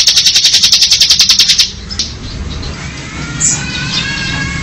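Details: Bar-winged prinia with ngebren song: a fast, high, evenly pulsed trill for about one and a half seconds, followed by quiet background with a faint distant chirp.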